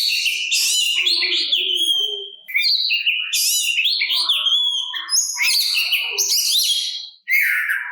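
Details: Song of an Oriental magpie-robin used to elicit replies from other magpie-robins. Dense run of high whistles, twittering and buzzy rattles, briefly pausing twice, with soft lower notes in the background.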